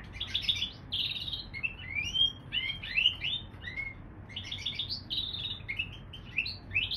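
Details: Canary crossed with bullfinch singing varied phrases: buzzy trills, clear rising and falling whistles, and rapid chirp series, in a near-continuous flow over faint low hum.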